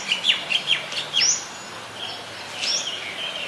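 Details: A White-vented myna, Ubon Ratchathani, Thailand, July 2020, gives a quick string of short chattering notes, then a bright rising whistle and a fainter, drawn-out upslur.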